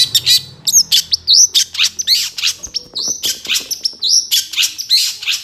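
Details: Long-tailed shrike song used as a master recording for training songbirds, full of varied fill-in phrases: rapid bursts of sharp chirps and rising whistled slurs, packed closely with short gaps throughout.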